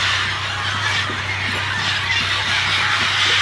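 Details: At a jungle clay lick at Napo Wildlife Center, Ecuador, a dense, unbroken, deafening din of many parrots and parakeets screeching and squawking at once, shrill and overlapping so no single call stands out, over a low steady hum.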